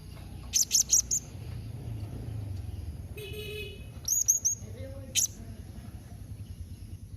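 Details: A rapid string of four very high chips, then three thin squeaks and a single final note, a blue-crowned hanging parrot calling to provoke replies; a brief tonal honk-like sound sits between the bursts.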